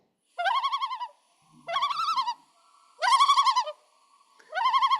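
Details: Common Loon giving its tremolo, a territorial song meaning both "come here, females" and "get off my territory": four quavering, laugh-like bursts, each under a second, rapidly wavering around one pitch with a rich, ringing tone.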